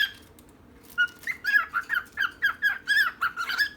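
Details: Pet birds, a female and a male, chattering: after a silent moment, a steady string of warbled whistled notes with rough edges, about four per second, continuing without a break.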